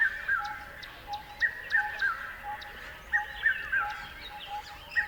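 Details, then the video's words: Birds chirping: a loud bird delivers repeated three-note descending whistled phrases about every one and a half seconds, backed by sharp high ticks and soft chatter from other birds. "Beautiful Birds Chirping Sounds"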